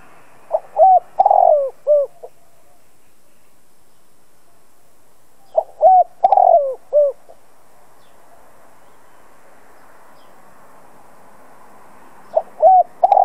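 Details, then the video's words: Spotted dove decoy repeating its cooing phrase three times, about every five seconds, to provoke other doves to call; each phrase has quick notes, a long rough falling coo and a short clipped ending. "Chim cu gáy mồi cây gáy gọi kích bổi tập mồi căng lửa. Cu đất gáy kích bổi."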